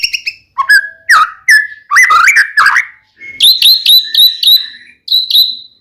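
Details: Singing white-rumped shama, a lure recording to make another shama sing back: varied clear whistles, some steady, some rising or stepped, then a run of sharp downslurred high notes.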